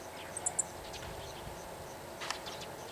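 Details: A Meadow Bunting perched on a wire at a pasture in Takaharu, Japan, gives repeated 'chi-chi' ground calls, possibly in alarm at surrounding birds: two sharp, very high notes in quick succession, then a softer burst, over steady low hiss.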